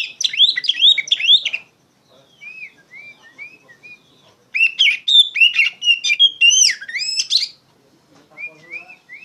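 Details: Oriental magpie-robin in loud, continuous song, used as a lure and to train young songbirds: bursts of varied sweet whistles, slurred rising and falling notes and rapid chattering phrases, separated by quieter pauses with soft whistled motifs.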